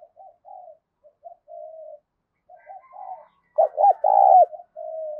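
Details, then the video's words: Spotted dove song meant to draw wild doves to fight a decoy: a string of faint short coos builds to one loud phrase of arched notes and a long rolling coo, ending in a flat soft note. "tiếng cu gáy thúc Đấu bổi rất rát, trị những con chim cu gáy bổi bể rừng lẹ về cội đấu với mồi"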